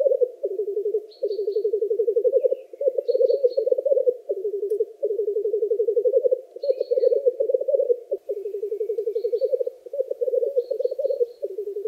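Black Grouse giving a continuous low, dove-like bubbling coo that rolls on in rapid pulsing phrases, with faint high chirps from small birds in the background.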